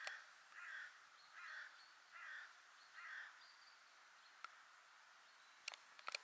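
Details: Hooded crow at Ljubljansko Barje, 2 October 2023, gives four harsh, hoarse caws under a second apart; camera shutter clicks follow.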